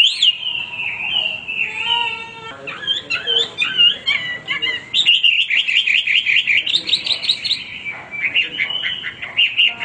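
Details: Varied, nonstop song of a male hwamei: slurred whistles, then jumbled mimic-like notes, then a rapid warbling trill and repeated whistled phrases.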